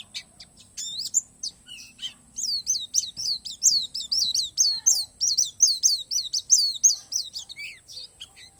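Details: Oriental white-eye of the Borneo 'palas' type singing an 'isian alam' (nature-filled) song: a rapid run of high, thin, downslurred whistled notes, about two to three per second, loud and steady, with a faint low hum beneath.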